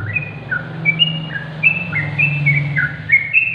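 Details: Sooty-headed bulbul song played to coax silent bulbuls into singing: clear, slurred whistled notes in short bouncing phrases, over a low steady electrical hum.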